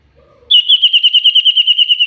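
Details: Very active common iora on a lure recording: a loud, sustained whistled trill, evenly throbbing about eight times a second and holding steady in pitch for over a second and a half, after a faint low murmur.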